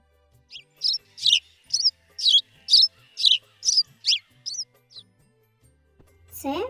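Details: House sparrow, presented as a wintering bird, giving a run of about a dozen bright, high chirps, roughly two per second and slightly uneven in pace; a brief voice begins at the end.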